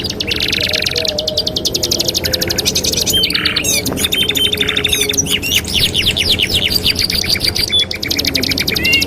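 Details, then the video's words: Canary master song for training canaries, two songs in one: dense rapid trills of high repeated notes, some rising sweeps, with brief buzzy rasping bursts in between, continuous throughout. "TERAPI MASTERAN KENARI 2 IN 1 | CANARY SINGING"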